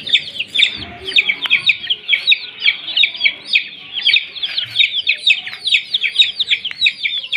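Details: Several young chicken chicks kept warm under care, giving a continuous chorus of high, rapid peeps, each a short downslurred chirp, overlapping densely throughout with faint low thumps in the background.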